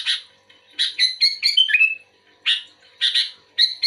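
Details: Bulbul song given in response to another bulbul, a run of sharp chirps followed by a descending liquid slurred phrase, then three more separate chirpy notes after a short gap.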